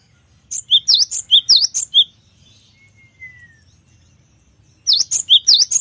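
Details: Singing gelatik batu, the Cinereous tit, in full-variation gacor style: a fast phrase of about seven piercing high notes, alternating V-shaped sweeps and short whistles, then a faint falling whistle and another rapid phrase begins; gentle low hum.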